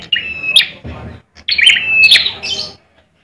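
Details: Bar-winged prinia kept for song contests in Indonesia, singing aggressively: a short buzzy chirp, a pause, then a longer harsh phrase with a whistled streak before silence.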